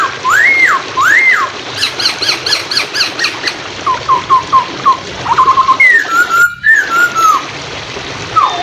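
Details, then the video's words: Hwamei training song: loud arched whistles and a quick burst of sharp notes, then short repeated whistled notes and longer slurred phrases. Flowing water runs underneath. "MASTERAN POKSAY HONGKONG / PANCINGAN SUARA MACET"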